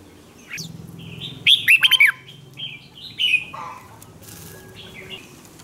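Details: Red-whiskered bulbul singing its fighting song to provoke other birds; a short loud rippling phrase of five quick notes, followed by softer whistled chirps and a faint low hum in the background.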